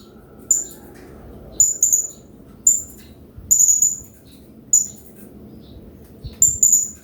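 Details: Master recording of a hanging parrot, meant to spur other birds into song: six short, shrill, very high chirp bursts spaced about a second apart, with flowing water murmuring underneath.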